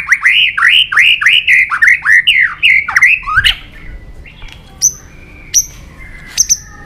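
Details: White-rumped shama in fighting song, used to stir rival singing: a rapid run of about ten repeated down-up slurred whistles, then sparse, sharp high notes over a faint level tone.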